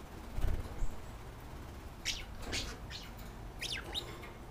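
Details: Two caged pet budgies, male and visiting female, calling to each other at night; a thump, then a cluster of sharp chirps and scratchy warbles, with faint fluttering.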